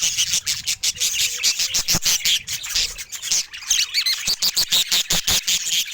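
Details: Happy-looking pet budgerigar chattering in quick pulsed chirps and squeaky notes, delivered in rapid, regular bursts with a few thin whistled tones mixed in.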